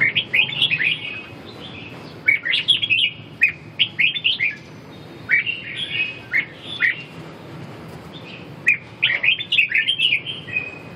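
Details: Red-whiskered bulbul delivering repeated short phrases of bright, slurred, whistled notes, each burst lasting about a second with pauses between, steady low background hum throughout.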